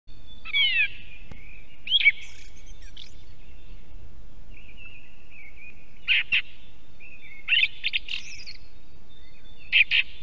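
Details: Song thrush singing near an osprey nest in Estonia: short bright whistled and chirping phrases separated by pauses of a second or more, over a steady faint high tone and low rumbling background noise.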